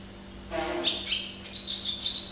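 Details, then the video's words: Singing barn swallow (Hirundo rustica) close up, starting with a lower harmonic note, then rising into high squeaky twitters and bright chirps. "Canto de golodrina - Song of barn swallow - Canto da andorinha-das-chaminés"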